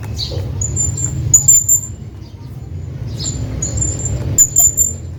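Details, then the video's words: Male hanging parrot calling his friend, giving thin, high drawn-out whistles followed by sharp doubled squeaks, twice in the clip, against a constant low background hum. "hanging parrot calling his friend"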